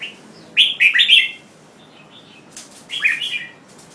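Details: Red-whiskered bulbul singing: two short bursts of bright, chirpy notes, each stepping down in pitch, separated by a quiet gap of about one and a half seconds with faint soft notes between them.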